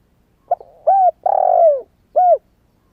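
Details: Newly singing spotted dove, not yet moulted, calling as a decoy for wild doves in Vietnam: a quick double pip, then low coo, long wavering descending coo and a final shorter coo.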